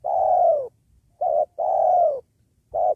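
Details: Spotted dove cooing beside a sacred tree while being used to lure wild doves during trapping. Long, slightly falling coos alternate with short clipped notes, roughly four notes in three seconds, clear against a quiet background.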